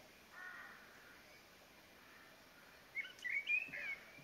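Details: A common blackbird singing in a Somerset garden gives a faint fluty phrase, then a quick run of clear whistled notes over about a second, against steady hiss; it later gives an alarm call, with at least three other species singing behind.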